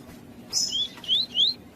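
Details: Lined seedeater (labelled Sporophila caerulescens, coleiro tui-tui) recording of a bird with a calling female, used to stimulate captive males: a short burst of high, thin, rising whistled notes, about four in under a second, over a quiet background.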